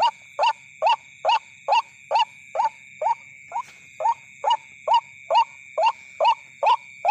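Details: White-breasted waterhen lure call used at night: a loud, rising, slurred note repeated about every half second, sixteen times in a steady series, over constant high-pitched humming tones.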